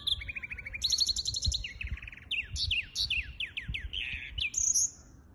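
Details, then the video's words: Hybrid finch song dated 23 April 2023: an opening trill, then rapid repeated chirps, downslurred notes and a buzzy twitter ending in a high whistle, with low thumps in the background. "гибрид поёт"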